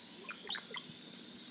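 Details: Spring vocalization of a Brown-headed Cowbird in central/eastern US backyards: a few low, liquid gurgling notes, then a sudden thin, very high slurred whistle, like bubble-bubble-zee.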